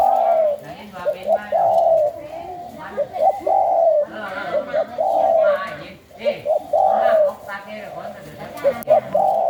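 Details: Captive spotted dove from a Thai breeding line of the 'sai khu ang' song style, cooing repeatedly: mid-pitched, smooth, slightly falling coos in short bursts and longer notes. A man talks between phrases.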